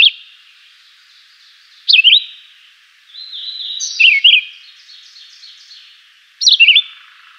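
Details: Simple, melodious song of a Chivi vireo, locally juruviara: brief high whistled phrases with quick rising and falling slurs, three phrases spaced about two seconds apart, echoing faintly between them.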